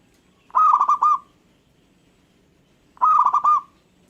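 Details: Local zebra dove singing, said to make other birds answer: two phrases of rolling, trilled cooing notes, each about three quarters of a second long and mid-pitched, separated by a pause of about two seconds.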